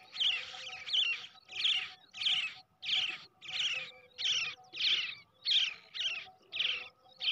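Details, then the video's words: Young brown shrike reared by hand from the egg, begging insistently with loud raspy, hissing calls repeated steadily about every 0.6 seconds, all of similar length and strength. "bird baby / brown shrike / পাখির ডিম থেকে বাচ্চা বড় করলে খুব সুন্দর ভাবে"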